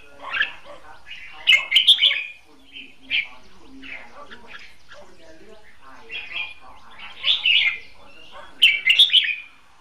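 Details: Red-whiskered bulbul decoy caged for trapping, hót đấu fighting song: scattered short warbled phrases with faint chirps between them, louder bursts near the start and end.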